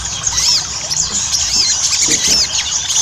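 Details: Ruby-cheeked sunbird lure song, chatty gacor ngobra style, for prompting birds to sing: piercing high squeaks and curling whistled slurs packed tightly together without pause.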